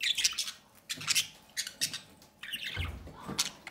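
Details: Captive budgerigar pair feeding a chick from the nest door; the chick gives loud, grating, high squawks in four or five separate bursts, each lasting roughly a third of a second, with a low thump near the end.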